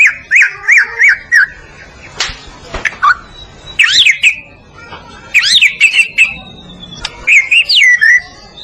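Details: White-rumped shama of the Medan variety singing, meant as a training recording for other birds. Separate bursts of bright, rising and falling whistled phrases come with short pauses between them, plus a few clicks.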